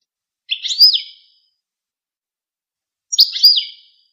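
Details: High-pitched goldfinch twitters arrive as two brief slurred phrases about two and a half seconds apart, sharp and clean against complete silence.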